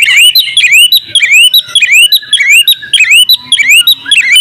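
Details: Oriental magpie-robin, a champion singer delivering a full, varied song. Loud rising whistled notes and crisp chips in quick succession, about two per second, over a thin high continuous tone, with a soft low hum late on.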